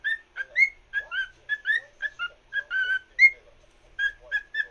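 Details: Singing to a fellow cockatiel, a pet cockatiel gives crisp whistled notes, a few sweeping upward, in a quick stop-start rhythm and nearly silent background.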